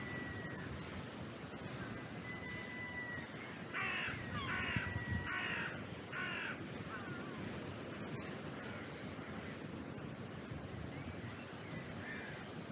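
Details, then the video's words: Crows calling from an oak tree in a cemetery, caught on a trail camera: a short run of four or five harsh, grating caws bunched in the middle, over steady roaring wind in the branches and faint thin birdsong. "Crows, Bird song and Wind in the Oak Tree"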